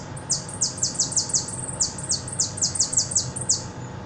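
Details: From Buenos Aires, a hooded siskin caller bird sings repique: two rapid runs of high, steeply falling notes separated by a short pause, crisp and insistent, with faint hum behind.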